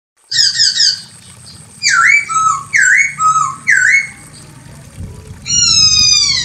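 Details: Female Chinese hwamei calling a male: rapid bursts of high whistled notes, then three loud swooping whistles dipping and rising, each ending in a lower slur, and a final long descending whistle with rich overtones.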